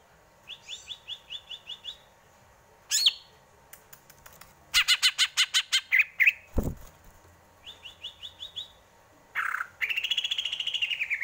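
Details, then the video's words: Varied greater green leafbird song: a short fast chip series, a harsh note, a loud rapid pulsed run, repeated chip series, and a closing buzzy rising phrase. "Burung cucak ijo, bikin adem indah dengarnya"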